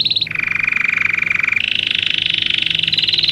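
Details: Belgian canary song for teaching canaries: a short high trill, then a drop to a lower, dense rolling trill, then a rise to a brighter rapid trill, in quick successive tours over three seconds.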